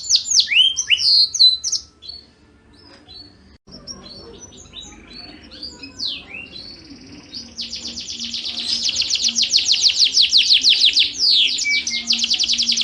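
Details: Yorkshire canary song used for training competition birds: loud varied whistles at first, a quieter scratchy middle passage, then a long rapid high roll growing louder, with a faint steady low hum.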